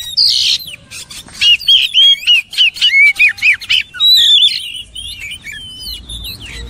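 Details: Oriental magpie-robin song: a harsh opening note, then a loud series of short whistled notes repeated about four times a second, ending in sweeping, twisting whistles.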